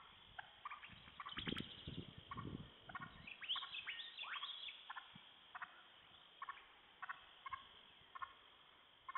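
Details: Wild turkey hens near sunset, alarmed by repetitive calling from a poacher on a hill. Short stacked clucks repeat at uneven intervals, with a burst of rising-falling yelps midway and low thumps early on.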